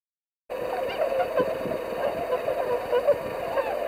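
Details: Swans before their northward migration, 22 February 2019: a dense flock chorus of overlapping nasal honking calls, continuous and busy, starting after half a second of silence.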